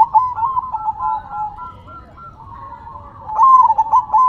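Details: Zebra dove song with head-shaking: soft, rolling chains of short coos hold a steady pitch, then swell into a louder, clipped stuttering phrase near the end.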